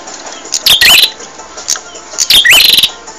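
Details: Prenjak (bar-winged prinia) singing on a training recording for caged birds: two phrases, each a crackling buzz followed by a bright whistled note sliding upward.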